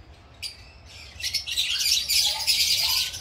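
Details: A colony of green masked lovebirds pairing and nest making, with sparse sharp chirps swelling into continuous high, buzzy chatter from several birds calling at once.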